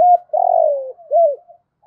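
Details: Decoy spotted dove calling wild birds: a single close, loud phrase, a short hoot, then a long, smooth coo gliding downward and an arched closing hoot, with no background noise.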